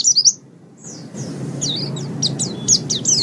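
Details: White-eye song from a training recording for caged birds, meant for mornings or evenings: a high burst of twittering notes, a pause, then scattered quick chirps over a low steady hum.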